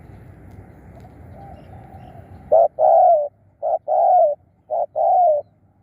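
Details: Lure spotted dove calling after a couple of seconds of low murmuring background. Three loud cooing phrases follow, each a short hoot answered by a longer, smooth, falling coo.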